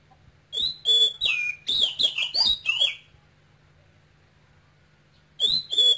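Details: Male Oriental magpie-robin, taken from Cambodia as a youngster, caged, sings a rapid run of clear, high whistles and sweeping slurred notes for about two seconds, pauses, then starts another phrase; faint low hum underneath.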